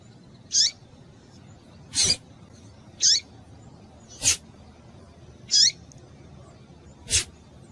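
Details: Female double-collared seedeater calling to stimulate males: short, thin, high downslurred notes repeated every two to three seconds, alternating with sharp broadband clicks.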